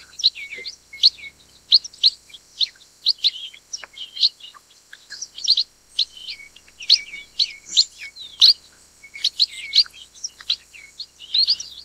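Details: Chestnut munias (Black-headed Munia, Lonchura atricapilla) give thin, high chirps and short nasal notes, several per second, overlapping as if from a small flock; nothing else is heard.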